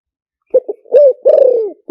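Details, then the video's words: Single deep spotted dove coo phrase in the 'liu tan' luring style: two brief coos, a swelling coo, then a long slurred descending coo, ending on a short final note. "เสียงต่อนกเขาใหญ่หมานๆ, เสียงนกเขาใหญ่ ต่อเข้าเร็ว เสียงหลิ่วตัน"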